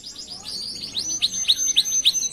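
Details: Canary master song used to train other canaries: a rapid series of high, sharply sweeping chirps repeated about four times a second, brightening toward the end.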